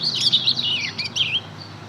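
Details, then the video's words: Young mozken (Mozambique canary × canary hybrid), two months old, practising ngeriwik song: a loud, continuous, high warbling twitter of quick sliding notes, fading slightly toward the end. "Anakan burung mozken hasil silangan mozambik dan kenari baru ngeriwik belajar bunyi"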